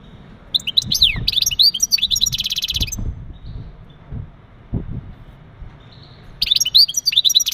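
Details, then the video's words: Male European goldfinch uttering mating calls to ready a female for breeding: bright tinkling twitters, a fast buzzy trill, a pause with low thumps, then another run of high liquid twittering. "بتبتات ونداءات التزاوج عند ذكر الحسون فعالة في تجهيز أنثى الحسون"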